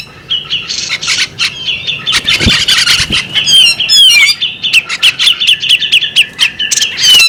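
A female magpie-robin gives a rapid, varied stream of sweet whistles, rising and falling slurs and scratchy chirps, with a couple of dull knocks partway through.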